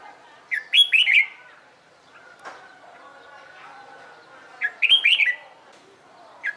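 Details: Trained red-whiskered bulbul singing for competition: two bursts of quick slurred whistles with high ticks, a long low faint tone and soft background noise in the pause between.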